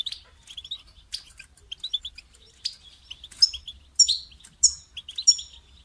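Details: European goldfinch calling to prompt a caged bird into song: quick chirps and twittering notes, roughly ninety per minute at irregular spacing, growing louder with bright ringing notes near the end.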